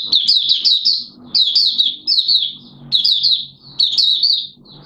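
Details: Caged Malaysian Oriental white-eye singing in warm, humid Singapore weather with sudden showers, 29 March 2023: four lively bursts of rapid, high, tinkling chirps, each about a second long, with short gaps between them.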